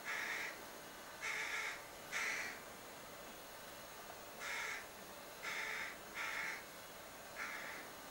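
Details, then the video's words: Eight grating begging caws from a young crow in a cherry tree beside a window, delivered in loose groups with a gap of about two seconds midway. "Begging Crow"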